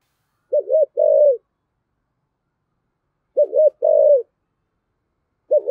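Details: Spotted dove cooing in 'giọng thổ' style to make a newly caught bird call back: a stuttering double note then a longer even coo, repeated after a pause of nearly three seconds, a third phrase starting at the end.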